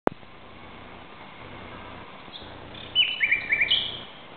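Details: A common nightingale sings at 2:30 am on 17 May 2009 in Barcelona, Spain: a short burst of clear, high whistles and quick repeated chirps over soft steady background hiss.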